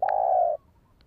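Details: Spotted dove coo for luring and training a decoy bird: one steady, low, hollow note held for about half a second, opening with a faint click.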